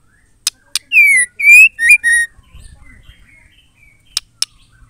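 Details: Song of a female white-rumped shama, meant to provoke males into full song: one burst of four strong whistled notes, slurred and slightly falling, framed by a few sharp clicks.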